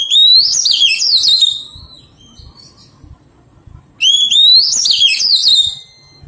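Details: During taming, a wild-caught Oriental magpie-robin repeats a bright phrase twice: an upward-sliding whistle followed by quick, rippling, fluty notes, with a quiet pause of about two seconds between phrases.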